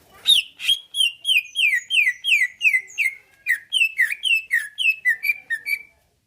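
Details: Greater Green Leafbird in captivity, song used to provoke other birds to reply and fight; a rapid run of around eighteen bright, downslurred whistled notes, fairly even pace, stopping abruptly near six seconds.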